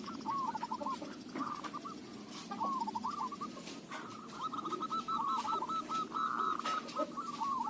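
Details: Local zebra dove, voice described as good for luring, repeating rapid rolling coo phrases with brief gaps, some notes slurred upward, over constant low ambient noise and occasional clicks.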